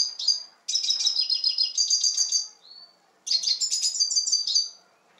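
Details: Red siskin in Turkey singing two high, rapid twittering phrases of chirps and buzzy trills, each lasting about two seconds, separated by a brief pause and a short thin note; quiet background.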